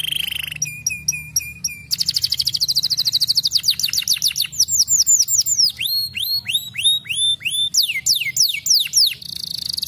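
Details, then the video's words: Canary song used as a lure to get young canaries singing and rolling: fast trills of repeated high sweeping notes, shifting between tours of rising and falling whistles, with a steady low hum underneath. "SUARA KENARI LAGU ENAK AMPUH jadikan KENARI MUDA cepat BUNYI DAN NGEROLL"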